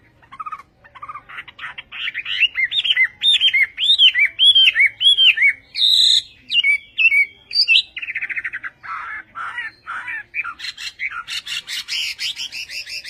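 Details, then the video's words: Western hwamei, a Chinese hwamei, delivering Vietnamese-style song: rising phrases of clear arched whistles repeated in series, then harsher buzzy notes and a dense, scratchy chattering finish. "HỌA MI TÂY - TIẾNG HÓT VIỆT"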